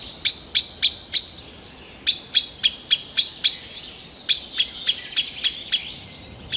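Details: Green sandpiper at Kalinovsky forest park in Yekaterinburg, 2020, calling in bursts of four to seven sharp, evenly spaced tick notes separated by brief pauses, over quiet steady hiss.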